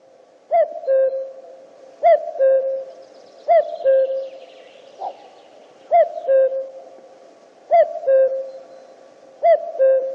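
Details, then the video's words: A common cuckoo gives its classic two-note 'cuck-oo', a higher note dropping to a lower one, repeated about every one and a half seconds. "Kukanie kukułki"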